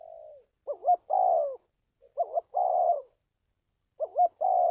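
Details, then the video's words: Lure recording of a spotted dove for bird trapping: three phrases of two short looping notes followed by a longer, slightly falling coo, spaced roughly every one and a half seconds. "tiếng chim cu gáy luyện mồi kích bổi"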